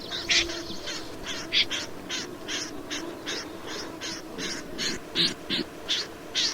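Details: Snipe repeating short, harsh, rasping notes in a regular series about two to three per second, some notes louder and sharper, over faint steady background noise.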